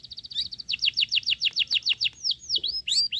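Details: A bulbul chick fed crickets begs insistently: a brief fast stutter, then about a dozen loud, evenly spaced downslurred chirps, ending in a few drawn-out falling whistles.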